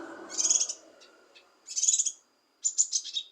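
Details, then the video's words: Leafbird (cucak kinoi) song to provoke a sluggish bird: three loud bursts of shrill, grating chatter with whistled accents, separated by short pauses, with a low rumble at the start. "Cucak Kinoi Untuk Memancing Emosi Kinoi Malas Bunyi"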